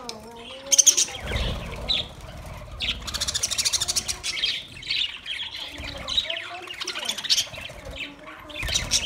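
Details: Budgerigars: a busy flock chatter of sharp chirps, squawks and bursts of scratchy warbling, coming in clusters, with a faint low tonal hum underneath.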